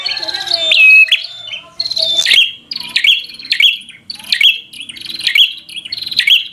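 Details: Bar-winged prinia singing full fighter song to anger a rival bird. A descending whistle opens the clip, followed by a steady sequence of sharp snapping notes roughly every half second.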